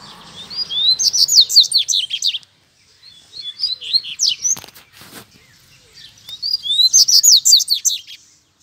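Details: Two wild double-collared seedeaters and a caged male calling each other to fight, a wild one very near: three bursts of rapid high chips and slurred whistles, each about two seconds, separated by short pauses.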